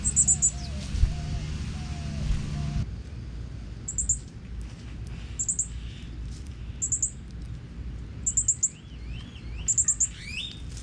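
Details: Northern cardinal chicks, several in one family, fed by their father in natural woods in Texas: thin, very high chip bursts in tight clusters roughly every one to two seconds, a low hum at first, rising whistled notes near the end.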